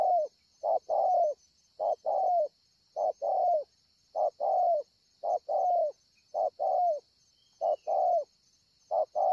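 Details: Steady cooing from a wild spotted dove, Ngọc Hồi, Vietnam, 25 March 2020: about ten evenly spaced pairs, each a brief hoot and a longer falling coo, nearly one pair per second, over a high continuous hum.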